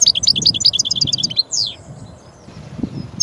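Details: European goldfinch (Carduelis carduelis) singing: a rapid run of high tinkling, twittering notes, then a drawn-out descending buzzy note and a short pause.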